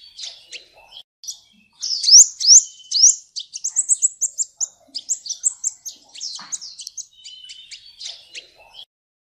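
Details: Sunbird song used as a training recording for magpie-robins and shamas, a full-filled tutor song: rapid high twittering phrases with sharp upslurred notes and trills, bursts of chirps delivered quickly with brief pauses, no other sounds.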